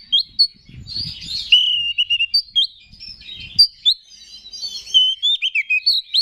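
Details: Kept Oriental magpie-robin singing to stir other males into song: clear slurred whistles falling and rising, interspersed with short sharp chips and scratchy notes, faint low rumbles in the background.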